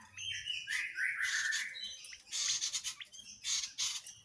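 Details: Tledekan jati, a songbird recorded as a tutor for other songbirds; quieter phrases of slurred whistled notes, then several short high buzzy bursts separated by brief gaps, over faint background hum.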